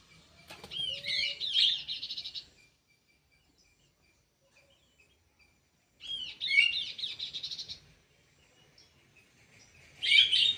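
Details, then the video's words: Kidangan kaso kaso bird housed in an aviary, singing three separate bursts of dense, high, twisting whistles and chirps, each about two seconds long with quiet gaps between. "BURUNG KIDANGAN KASO KASO"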